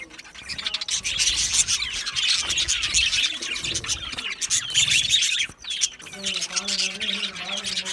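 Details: Australian budgerigars in lively chatter: a steady stream of high chirps, squeaks and buzzy warbling, with a short lull midway and a lower repeated tonal note near the end.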